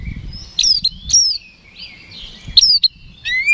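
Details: Oriental magpie-robin, known locally as kacer, singing to provoke rivals: several sharp falling whistles and high clicks separated by short quiet gaps, a soft rushing note in between, low background noise.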